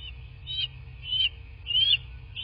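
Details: High, thin piping notes from a bald eagle at a southwest Florida nest, nest cam, morning of 17 March 2024. Three drawn-out whistles rise and fall, each lasting about a quarter second, over faint low hum.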